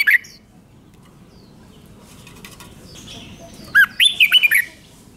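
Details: Kept Red-whiskered Bulbul from Thailand: after a brief opening note and a lull, it sings one bright five-syllable doubled phrase of rolling whistled notes, swooping up and down.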